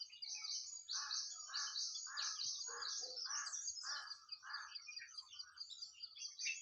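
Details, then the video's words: Garden nightingale in spring, singing rich, rapid phrases. Steady pulses of lower, rounded notes come roughly twice a second beneath a dense, shimmering layer of high twittering from other birds. "Nightingale (Bulbul) Sound in Garden"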